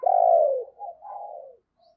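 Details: Decoy spotted dove calling to attract wild doves: one loud, long falling coo followed by two softer, lower-pitched trailing coos.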